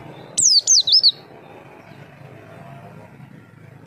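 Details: White-eye call used as a lure to make other birds answer: three quick high, thin whistled notes, each sliding steeply downward, then near-silence with faint low background hum and another note starting at the end.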